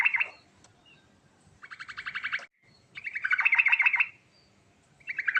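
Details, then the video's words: Yellow-vented bulbul giving a fast rolling song with rich fill, used to prompt other bulbuls to reply: a series of rapid pulsed, chattering trills about a second long, repeated with brief pauses between. "Burung Trucukan Ngerol Isian Mewah Paling Cepat Bikin Nyaut"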